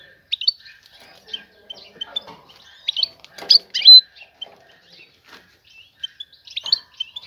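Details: Female European goldfinch calling to attract a male for breeding; scattered high chirps and twitters with one loud burst midway, faint tone in the background.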